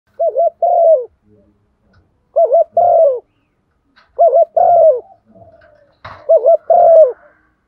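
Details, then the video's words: Female spotted dove used as a lure, giving the urging 'thúc gù' coo: low, hollow two-part phrases, a quick wavering double note then a longer falling coo, repeated roughly every two seconds in a quiet setting. "tiếng chim cu gáy MÁI thúc gù, tiếng chim cu gáy mái gáy gọi"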